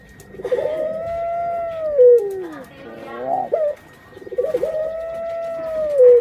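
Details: Pet puter pelung hen nearing egg-laying, giving two long arching coos that slowly fall in pitch, separated by a quick burbling warble, with a faint steady whine behind.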